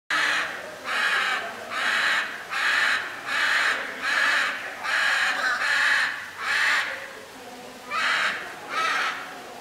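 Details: Hyacinth macaw at the National Aviary in Pittsburgh, Pennsylvania, squawking angrily while waving its wings: about a dozen loud, harsh, grating squawks in quick succession, roughly one a second, with a brief pause near the end.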